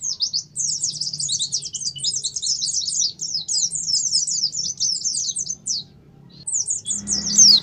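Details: Lure recording of an oriental white-eye in 'ngalas' song, meant to stir kept birds into singing: a long, rapid run of thin, high, falling chirps, a short pause, then a renewed twittering burst with a soft thump at the end.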